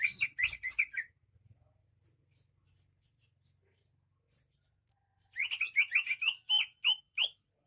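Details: Greater green leafbird of Banyuwangi origin: a fast burst of sharp whistled notes, several seconds of near silence, then another rapid string of bright, downward-sweeping whistles and chips.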